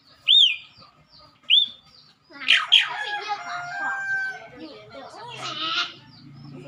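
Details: Song of an Asian pied starling, a species said to sing most when people are around: two clear, arched whistles, then a dense outburst of harsh, rasping chatter mixed with twangy, warbling notes.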